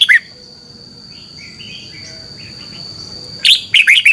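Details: Morning competition singing of a red-whiskered bulbul, aimed at rousing other birds: a brief whistle at the start, faint distant chirping, then a loud burst of bright, rolling whistled notes near the end.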